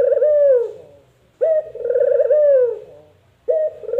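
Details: Puter dove call in the "empuk jeruu" style: a rolling coo ending in a falling slur, then a short clipped note leading into a second long rolling coo and the start of a third. The phrases are low and mellow.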